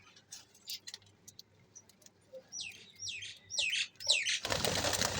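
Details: Lovebirds during playtime: a quick series of short rising-and-falling chirps, about two per second, growing louder, then cut off by a rush of broad noise like flapping wings.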